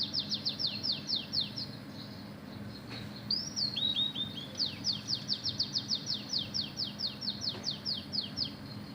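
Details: Oriental magpie-robin singing persistently with canary-style mimicry: fast series of high, sharply falling whistled notes in rapid trills, a brief pause, then a rising slurred note and further long rattling runs over a steady low hum.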